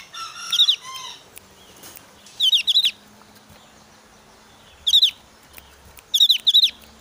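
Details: Agitated Javan grey-throated white-eye in breeding condition, calling to challenge an opponent: brief clusters of two or three shrill, rapid notes separated by pauses of one to two seconds, other faint bird chirps behind.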